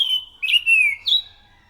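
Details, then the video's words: Thrush song used as a lure to draw in other thrushes: a loud, clear whistled phrase sliding gently downward, broken by brief higher flicks and ending in a short bright note. No other sounds. "PANCINGAN BUNYI BURUNG ANIS SANGAT EFEKTIF, SUARA ASLI ANIS MACAN GACOR TEMBAKAN SUARA NYARING!"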